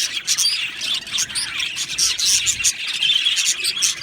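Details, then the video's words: Budgerigars, an Australian parrot, chirping together in an aviary colony: a dense, continuous chatter of high, buzzy warbles and sharp chirps overlapping throughout, with no pauses. "Budgie birds Chirping sounds"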